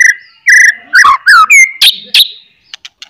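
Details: White-rumped shama singing loudly to provoke other shamas: clear whistled notes, falling slurs, and harsh buzzy bursts, ending in a few faint clicks.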